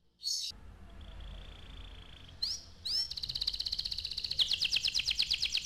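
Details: Canary song over a low background hum: a brief high note, a soft steady whistle, then a fast rolling trill that grows louder and quicker toward the end.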